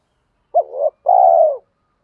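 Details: Spotted dove cooing, used to train and stimulate newly caught birds to coo: a short hooked low note sliding into a wavering coo, a brief pause, then a longer, steady, slightly falling coo. The background is quiet.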